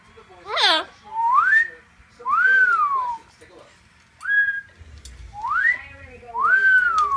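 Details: Double yellow-headed amazon kept as a pet, calling for attention: a harsh squawk followed by a series of loud, drawn-out whistles that rise then fall, spaced about a second apart, in a quiet room.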